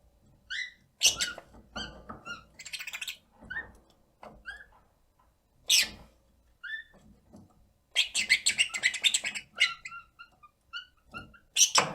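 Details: Pet rosy-faced lovebird, aged one year nine months, calling for its owner and chattering: short sharp chirps and whistled notes mixed with harsh, buzzy screeching bursts, loudest around the start, middle, and a long rapid chattering run near the end.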